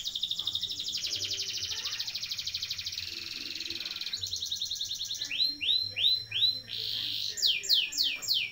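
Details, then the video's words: Canary singing a long roll meant for training young birds: a fast pulsing trill held for several seconds, then looping upward-sweeping whistles and sharp slurred notes. "SUARA KENARI NGEROLL DURASI PANJANG"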